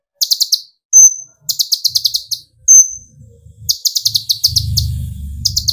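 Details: Kolibri ninja sunbird, young speckled to full metallic plumage, singing to provoke other birds into song. Bursts of rapid high buzzy notes alternate with sharp thin whistled calls. Low rumbling handling noise appears near the end.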